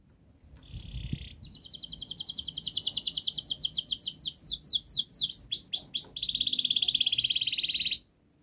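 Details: Canary delivering long, rapid song used to train young birds to sing: a short buzz, then an extended fast rattle of clicking notes, swooping whistles and a loud sustained buzzy trill ending abruptly.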